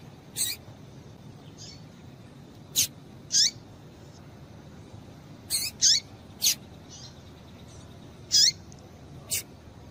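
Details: Female Double-collared seedeater, whose calling is meant to stimulate males. Short high piercing chirps with falling tails come at irregular intervals, sometimes in pairs, interspersed with quieter softer notes, over low background noise.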